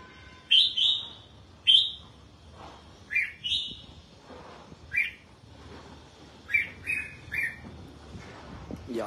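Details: Red-whiskered bulbul, kept and being bathed in the sun, delivers about eight brief whistled phrases, some sliding downward, spaced a second or so apart over a faint background.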